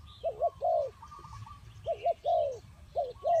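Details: Spotted dove calling: soft, low cooing phrases, a quick double coo followed by a longer drawn-out coo, repeated twice in a few seconds over faint background noise.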